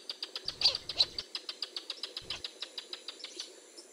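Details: Wild Northern Jacana (Jacana spinosa) family, a male brooding chicks under his wing after hatching; thin high peeping notes repeated about three times a second, steady and even, with a few louder chirps near the start.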